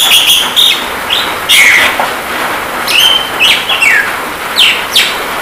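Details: Javan myna song on a training recording for kept birds, with rain therapy: short clear whistles that rise and fall, repeated about once a second over a steady rain hiss.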